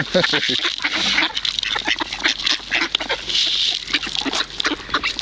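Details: A flock of hungry ducks being fed at Kirchsee, Preetz, Germany, calling over one another in harsh, clipped quacks that rise and fall in bursts, with a bright hiss running through.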